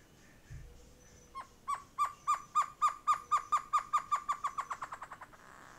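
A great antshrike gives a long series of about twenty hollow, mid-pitched hoots that speed up steadily and fade toward the end, after a soft thump.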